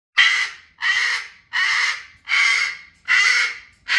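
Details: Pet cockatoo in a home throwing a tantrum at bedtime, refusing to go to bed: loud, harsh, raspy screeches repeated about every 0.75 seconds, each broad and grating, with a person afterwards telling it that it is time for bed.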